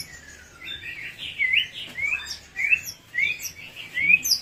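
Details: White-rumped shama song used as a lure to make birds answer: a series of short clear whistled notes, several rising sharply, given in bursts about every half second to second, with faint background hum.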